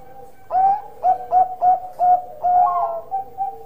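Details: Bangkok-type zebra dove in full song with a big voice: a loud series of short, rounded coos, each with a slight upward lilt, repeated about every third of a second, ending in a drawn-out warbling coo.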